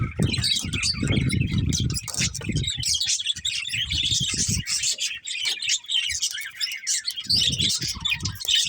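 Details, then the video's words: A flock of budgies chirps and warbles busily with squeaky, overlapping notes. Bursts of low rumbling noise come at the start and near the end. "Cute Budgies Chirping Sounds"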